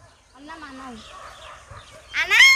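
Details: Common myna imitating human speech: soft, low murmured voice-like sounds at first, then a sudden loud, bright, harmonic-rich burst of speech-like sound near the end.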